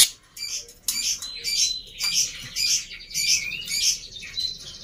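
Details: Black-winged myna, quieter and more measured, played to coax silent birds: short bright chirps repeated nearly twice a second at a fairly steady rhythm, over a faint steady whistle and a low background hum.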